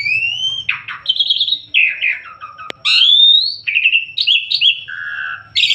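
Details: Asian pied starling singing actively: a varied string of loud whistles, buzzy rasping notes, rising slurs and warbled phrases, each different from the last, with one sharp click near the middle.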